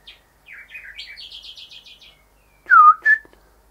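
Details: Male Rufous whistler singing at house windows, where he keeps admiring his reflection at this time of year. A quick run of short repeated whistled notes climbs in pitch, then a loud downslurred whistle and a sharp final whip note follow.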